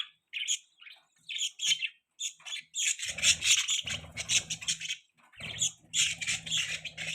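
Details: Chirping from a baby budgerigar held on a hand, starting as spaced single squeaky notes, then turning into a busy stream of harsh high twitters over low rustling.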